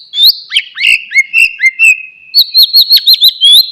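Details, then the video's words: Loud, varied white-rumped shama song played to coax a quiet bird to sing again: fluid whistled slurs giving way to a brisk string of sharp, rising chips. "MURAI BATU BENGONG,, DIEM .//. LANGSUNG RESPON DENGARKAN KICAUAN INI"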